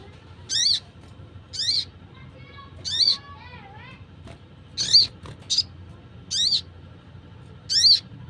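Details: A crested jay, presented as a wild call for luring birds, gives sharp, high, buzzy chirps about every second, with a few softer, lower whistled notes between them.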